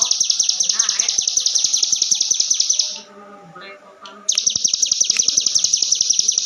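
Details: Continuous, high, rapid ciblek gunung 'ngebren' song, used to train other birds: fast piercing notes break off for about a second, with faint lower chirps in the gap, then resume at full speed.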